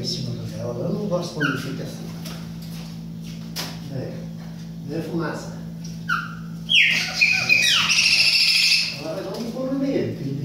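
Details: Young chopi blackbird learning its song: scattered whistled notes and buzzy phrases, then a loud burst of sliding whistles and harsh chatter around the middle, over steady low hum and faint voices.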